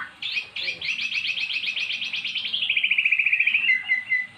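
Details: Magpie-robin, once silent, singing after being lured with recorded song: a long fast trill of evenly repeated high notes that drops slightly in pitch and speeds up near the end, followed by a short whistle.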